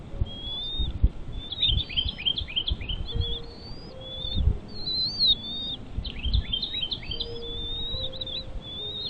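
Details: At a bald eagle nest with chicks, squeaky piping notes come in rapid clusters, each dropping sharply after a brief rise, separated by short pauses over low outdoor noise.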